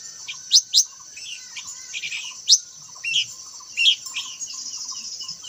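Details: White-browed laughingthrush, the variety called khướu lùn cánh xinh, singing: sharp, high chirps and squeaky upslurred notes in irregular bursts, some loud and piercing, others soft, over a steady high hiss and a faint low hum.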